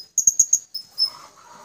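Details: A pair of blue-crowned hanging parrots calling to companions, used as a lure, gives four quick, very high, thin chirps, then two shriller squeaks, with faint background noise.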